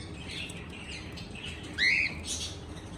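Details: Cockatiel chirp: a single clear whistled note that rises and then eases off, with a faint softer chirp just after, heard over quiet background hiss.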